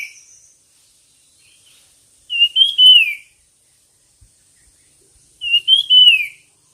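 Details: Whistled bird song from a singing competition: two strong phrases, each rising briefly and then sliding down, about three seconds apart, over near silence with a faint high hiss.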